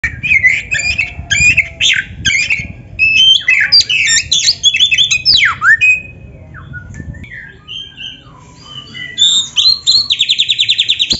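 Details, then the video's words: Oriental magpie-robin (kacer), black-breasted form, in lively 'gacor full isian' training song. Varied whistles, sweeping slurs and scratchy notes in fast bursts, then a softer pause and a rapid repeated trill at the end. "MASTERAN KACER GACOR FULL ISIAN"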